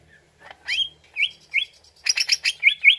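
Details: Greater green leafbird lure song to make another bird answer: a few rising slurred whistles spaced apart, then a quick cluster of chirps and two bright upturned notes.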